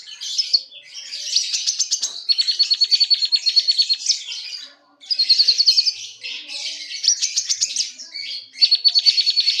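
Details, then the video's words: Common iora singing while puffing up its feathers: rapid high trills and buzzy repeated notes, fast pulsed runs of chips lasting a second or two, with short whistled notes between, in continuous bursts. "Burung konin kicau sambil gembung."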